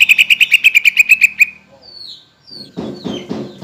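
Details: Greater green leafbird song played to provoke caged birds into answering; a rapid rattling trill of about a dozen ringing notes, then thin high whistled slurs and a burst of harsh buzzy notes.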